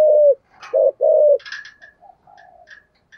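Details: Thổ-voiced decoy spotted dove gives three deep coos: one drawn-out, then two rounded notes. Thin higher chirps from other birds follow, along with a brief rustle.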